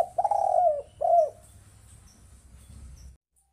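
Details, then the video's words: Spotted dove call used as a lure for trapping birds: two low, hoarse cooing notes, the second shorter and falling at the end, over a faint low hum. "Suara Tekukur Ampuh Untuk Pikat"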